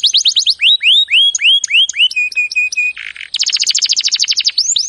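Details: Training song of a canary, switching from fast notes to rising slurred whistles, a short steady flat tone, a buzzy burst, then a very rapid trill that ends in upswept notes.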